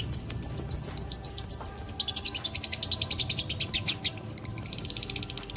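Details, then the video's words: Dobel minor fighter lovebird in a long ngekek trill: opens with crisp whistled chip notes in a fast, regular series, then turns to a broader, buzzy, rapid chatter that keeps going. "love birds faikter dobelan minor top ngekek durasi panjang gacor"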